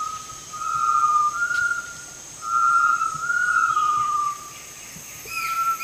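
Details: Great tinamou calling with long, tremulous whistles that waver and slur slightly in pitch, each lasting one to two seconds with short pauses between, over a steady high insect hum.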